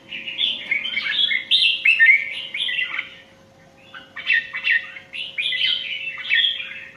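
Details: Competition singing from an Indian red-whiskered bulbul: two lively runs of warbling, slurred whistled notes divided by a short silence, over a steady faint background hum.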